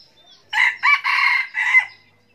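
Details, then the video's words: Decoy red junglefowl rooster crowing to lure wild roosters: a single crisp crow broken into four quick parts, strained and rasping, in a quiet setting. "giọng gà rừng mồi gáy, giọng gà trống gáy kích mồi, kích bổi"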